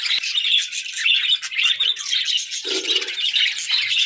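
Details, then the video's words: Several pet budgerigars chatter at once, with rapid high chirps and warbles overlapping in a steady stream and a short lower rasp near the end. "Joyful Parakeets🐦🦜: Daily Chirping, Songs, and Fun!"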